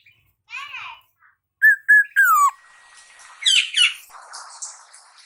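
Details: Young black-naped oriole, a Javan fledgling just out of the speckled juvenile stage, learning to sing: short whistled and chattering phrases, a clear sustained whistle near the middle, then harsher rasping notes, with soft background noise.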